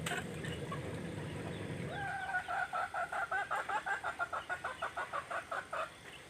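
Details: Free-range village chickens raised naturally on traditional feed in a green setting; after a low rumble, a quick run of short clucking notes repeats about three times a second, fairly quiet.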